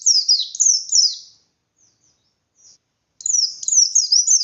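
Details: Bustomi-type white-eye in full ngalas song, meant to rile other white-eyes into answering: bursts of high, shrill, downward-sliding notes delivered in fast series, broken by a pause of nearly two seconds with a few faint chips before the rapid phrases resume.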